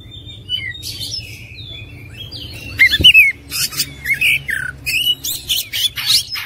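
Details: Oriental magpie-robin song meant to fire up listening birds: quiet at first, then from midway a loud run of short whistled phrases mixed with harsh buzzy bursts and chattering notes, repeated in quick succession.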